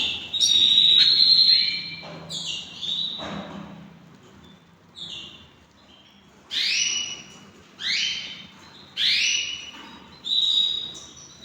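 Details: Hand-tamed pet canaries: bright upslurred whistled notes with harmonics, first clustered in a quick run, then delivered singly about every second and a half, each rising sharply and fading.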